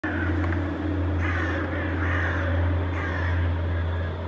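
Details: Several Hooded Crows calling while chasing a Northern Goshawk in flight over Helsinki, Finland, in September; harsh, hoarse caws repeated in short bursts, with a steady low urban hum beneath.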